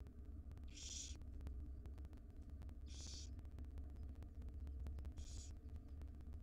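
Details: Wild barn owl nestlings, five in a nest box, call for food as their mother feeds them breakfast: three rasping, hissy bursts about two seconds apart over a droning low hum.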